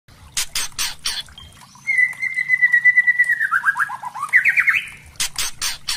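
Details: White-rumped shama of the spotted murai trotol type, singing as a lure to provoke other shamas into full song: a long steady whistle slides into descending buzzy notes and a rising trill, framed by loud clicking bursts before and after.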